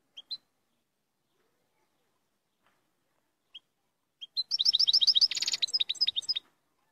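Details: Singing European goldfinch: a few scattered high call notes, then an energetic burst of quick, sparkling twitters with a short buzzy rattle partway through.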